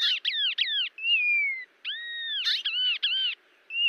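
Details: Cerrado birds of Brazil give arched, looping whistled notes in quick pairs, with one long descending whistle and a bright steady tone between phrases.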